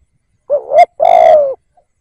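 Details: Spotted dove decoy coo used to lure wild doves: one two-part phrase, a short wavering hoot, then a longer, steady, slightly falling coo, in silence.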